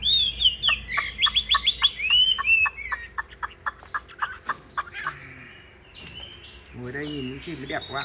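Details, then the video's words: Caged Chinese hwamei in fighting display, opening with bright whistled loops, then a rapid string of sharp clipped notes that gradually fades, ending with a low voice-like sound and a few scattered chirps. "Bộ to đấu xòe hót rất tốt, giộng rất hay"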